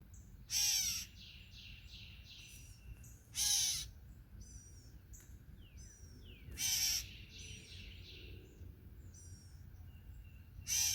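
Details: A gray catbird (identification uncertain) at a bird feeder gives harsh, raspy calls about every three seconds, seemingly telling the observer to leave; thin chirps and whistles from other small birds fill the gaps.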